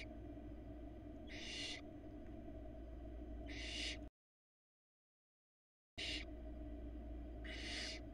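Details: Hungry barn owl nestlings, four in a Florida nest cam, being fed a rabbit by their mother. Broad, rasping hissed screeches come in separate bursts a couple of seconds apart over constant low electrical hum, broken by a short silence.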